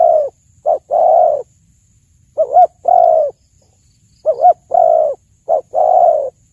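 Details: Spotted dove cooing in three even phrases of short and long low hoots, each phrase like a quick double note then a drawn-out coo, about two seconds apart; used as a lure for hunting.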